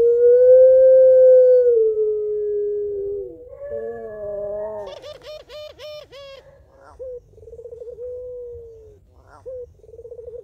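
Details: Puter pelung barbary dove calling its mate in a long crying, laughing style: a steady drawn-out note sliding lower, a wavering tone, a brief buzzy pulsed burst, then short rhythmic laughing trills.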